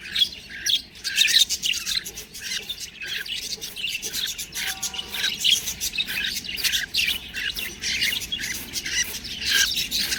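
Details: Budgie babies in busy, high-pitched chirping and twittering, with rasping notes that rise and fall in loudness without a set rhythm.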